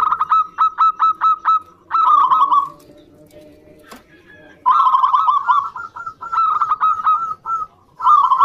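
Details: Local zebra dove song played to prompt reluctant doves into singing: a run of short clipped cooing notes, then rolling trilled phrases, a quiet gap with a sharp click, and more trilled cooing phrases.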